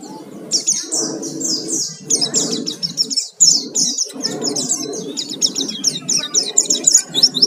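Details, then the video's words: Oriental white-eye, pleci, in a lure recording meant to provoke singing, 'gacor full isian' style: dense, high twittering phrases of rapid, sliding chirps run almost continuously, over a low rumbling background. "Pancingan suara pleci gacor full isian"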